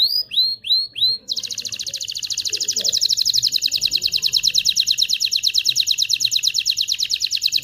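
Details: Canary song meant to stimulate males and females for mating: a few rising upslurred notes, then a long rapid buzzy trill of high notes, rattling steadily for about six seconds.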